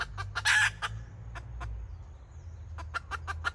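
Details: Decoy hen of red junglefowl, 2024, clucking in the kataak style: spaced sharp notes, a loud raspy cackle near the start, then further evenly spaced clucks against low background rumble.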